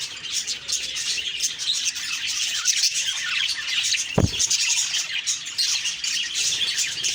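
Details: Morning budgie chirping: many high, squeaky chirps and warbled notes run together without a break, and a single low thump sounds near the middle.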